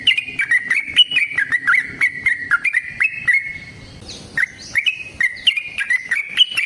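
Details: Long 'ropel' song of a yellow-vented bulbul used as a lure to make others answer; rapid, tumbling whistled phrases run on, pause briefly near the middle, then resume with bright jumpy notes.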